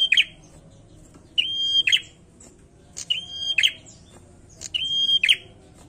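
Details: Bar-winged prinia singing vigorously: three clicking phrases, each holding a level whistle, separated by gaps of about a second.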